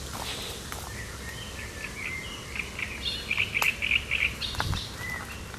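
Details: Great reed warbler song on 1 July 2020: sharp, chattering notes build into a loud burst of rapidly repeated harsh syllables, then fade, with a low background hum.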